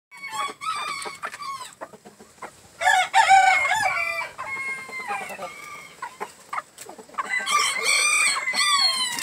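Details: A green-legged red gamefowl rooster gives three long, harsh crows, each rising then trailing off, with short sharp clucks and squawks in between.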